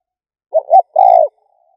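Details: One phrase from a spotted dove used as a lure: two short rising notes, then a single longer coo that falls away, in silence.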